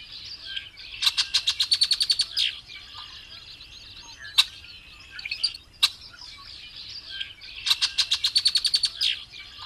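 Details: Variable oriole (Brazilian "melro de asas", usually solitary, sometimes in mixed flocks) singing vigorously: two bursts of rapid, high, rattling chattered notes, each about a second and a half long, over steady high-pitched background chatter.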